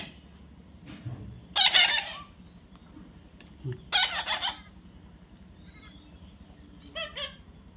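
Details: Baby parrot giving two loud, rough, broadband squawks a couple of seconds apart, followed by a few fainter short chirps, over a steady low background hum.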